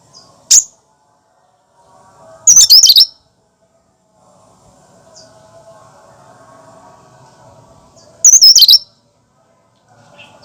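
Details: Cucak kinoi singing its own natural song, no mimicry, used to stimulate and lure other birds: a brief high note, then two rapid chattering phrases about six seconds apart, over a faint mechanical hum.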